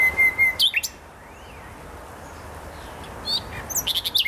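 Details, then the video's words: Nightingale in the botanical garden in Poznań, Poland: level whistled pulses, a quick slurred flourish, a quiet gap, then a burst of fast sharp notes. "Wyjątkowy śpiew słowika."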